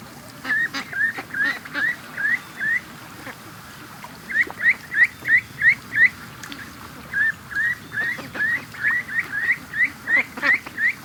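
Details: Ducks let out of the pen in the morning after an extra hour's wait, rushing to the creek and lake; short rising calls near 2k repeated in quick runs of about three per second, with brief pauses between bursts.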